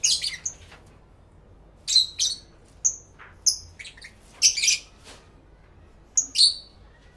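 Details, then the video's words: Lovebirds kept as pets, chattering among themselves in a live stereo recording made with two external microphones: scattered shrill chirps and short squawky bursts separated by quiet gaps. "1 Hour Lovebird Sounds High Quality Stereo Live Recording V3"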